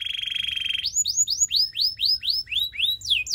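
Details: Song of a Belgian canary meant to train other canaries: opens with a fast even buzzy rattle, then breaks into a series of rising whistled slurs repeated roughly three times a second.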